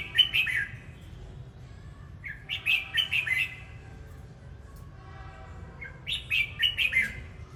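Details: Red-whiskered bulbul singing: three bursts of bright, warbled whistled phrases, each a quick run of four or five rising and falling notes, separated by pauses of about two seconds, over a low background hum.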